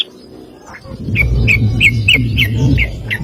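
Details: Sooty-headed bulbul 'ropel' song recorded as a master for training birds: a string of clear chirps roughly every third of a second, partly masked by heavy low rumbling noise.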